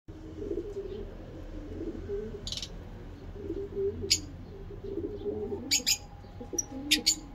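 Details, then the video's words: Captive lovebirds kept for breeding, giving short shrill high-pitched chirps in scattered bursts, clustered toward the end. Low wavering coo-like notes and a steady hum run underneath. "Lovebirds singing lovebird talking"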